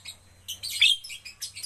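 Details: Captive Javan myna in training to become a frequent singer: a faint scratchy note, then a run of loud, harsh, hissing bursts that peak in a grating squeal near the middle, followed by more rasping, chattering phrases.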